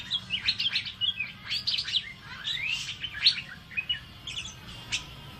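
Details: Lively Asian fairy-bluebird song recorded for training songbirds, with clusters of bright twittering notes, a swooping rising whistle near the middle, and a scatter of sharp single chips toward the end.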